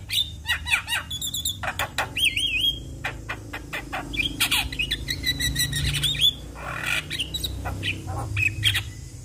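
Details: Song of a Javan myna, played to get other mynas to start singing: dense, varied chatter mixing harsh rasps, clicks, looping whistles and squeaky notes in quick succession, with a low indoor hum beneath.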